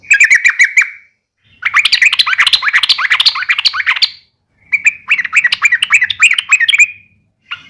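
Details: Provocative uplik tarung fighting call of a yellow-vented bulbul. Three bursts of quick, jerky chirping, the middle one longest and busiest, with short silences between phrases.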